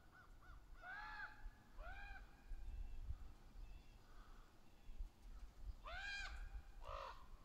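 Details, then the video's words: Ravens, juveniles with adults, trading calls in the trees: two harsh caws, a pause with faint notes, then two more loud hoarse caws near the end, low rumble beneath. "Rantings of Ravens. Juvenile and adults caw and talk to each other in the trees. Extremely vocal"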